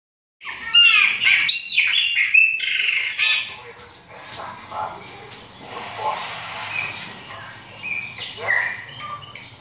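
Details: Chopi blackbird singing: a loud burst of varied clear whistles, sharp upslurred and downslurred notes, and short chattering phrases in the first three seconds, followed by softer, rambling warbles and squeaky notes that fade in and out.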